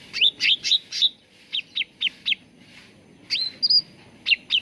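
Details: Cucak ranting bulbul used as a lure to get birds singing: bursts of bright chirps, a row of short spaced notes, then a rising whistle with a sustained high tone.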